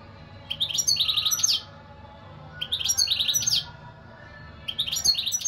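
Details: European goldfinch singing three tinkling, trilled phrases, each about a second long, with fast high notes run together.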